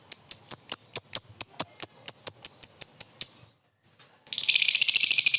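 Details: Lovebird giving a short laughing call to lure a rival: about fifteen evenly spaced sharp high notes, a pause, then a dense harsh rattling chatter.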